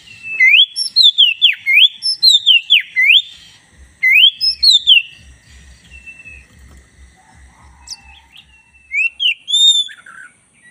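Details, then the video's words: Black-breasted white-rumped shama, kept as a caged bird, singing a lively master song: loud whistled phrases sweeping up and down, rapid repeated notes in bursts, a pause with faint low rumbling, then high clear whistles. "masteran kacer dada hitam GACOR"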